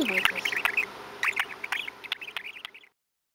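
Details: Domestic budgerigar, male, recorded in October 2017 while chattering: quick burbling twitters and short chirps run together for nearly three seconds, then fade out into silence.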